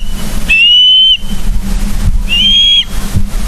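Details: Osprey at a nest in Charlo, Montana, morning of 31 August 2023, from a live camera: two long, level, shrill whistles about two seconds apart, each held for over half a second, over a steady background hum.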